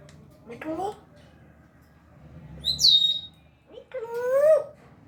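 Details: Talking African grey parrot, a pet that speaks Urdu and Hindi, giving low speech-like syllables, a high squeaky whistled note, then a drawn-out wavering voice-like phrase over steady indoor background hum.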